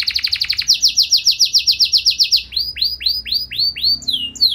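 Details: Caged singing canary delivering a long, showy song meant to provoke other canaries into singing: rapid repeated high chirps in fast trills, then a series of slower, rich downslurred whistles.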